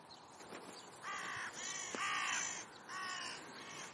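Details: Crows playing on a busy park meadow in Leipzig's Rosental by the zoo give four hoarse, grating caws in quick succession, each about half a second long, over faint outdoor background noise.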